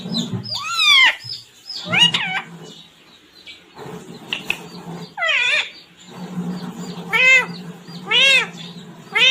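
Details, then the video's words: Talking parrot kept as a pet, voicing "mummy papa koun aaya hai": separate bursts of ringing, arched harmonic syllables roughly every second or two, with a low room hum and faint high chirps behind. "Talking parrot mummy -papa koun aaya hai"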